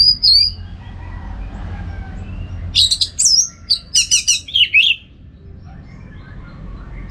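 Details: Orange-headed thrush singing lively, a tutor recording for contest birds: one opening whistle, then a rapid run of sharp chirps and twisting high notes, trailing off into a low steady hum.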